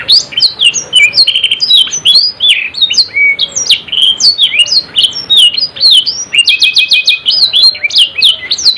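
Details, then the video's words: Canary singing hard in the 'ngerol nembak' style: a continuous stream of rapid, high, varied chirps and slurred whistles, with clipped repeated notes near the end forming a quick trill; light hiss underneath. "KENARI GACOR NGEROL NEMBAK | CANARY SINGING"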